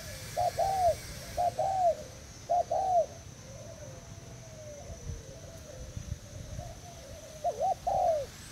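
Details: Spotted dove from Thailand kept as a tethered bare-lure decoy, recorded 18 June 2018: paired hollow coos repeated in spaced phrases, a quieter drawn-out coo in the middle, then another loud pair at the end.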